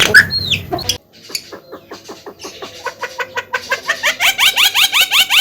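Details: Javan myna singing continuously: after a brief loud call, a long series of rapid clicking notes speeds up into rhythmic, rising, buzzy upslurs repeated about three times a second.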